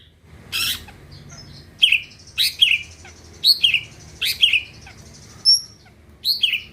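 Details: Greater green leafbird, gacor to make other birds sing: a short harsh buzz, then loud falling whistled notes repeated about every half second to second, with soft high whistles between.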